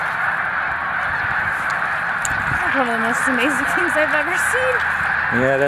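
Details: Vast snow goose gathering at Montezuma, New York, in March 2022 gives a steady chattering roar of honks, while a man speaks in the second half.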